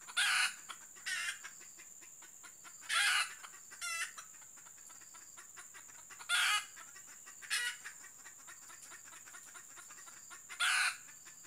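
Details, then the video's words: Female red junglefowl kept as a decoy hen for trapping, giving short loud clucking bursts spaced a second to several seconds apart, with faint rapid ticking pulses and a steady high hiss between them. "Ayam Hutan Pikat Betina"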